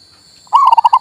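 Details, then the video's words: Local male zebra dove singing, used to spur a bird that has stopped sounding: after a short silence, one rapid run of about seven bubbling, rounded cooing notes with a steady thin high tone in the background. "MERANGSANG PERKUTUT MOGOK BUNYI"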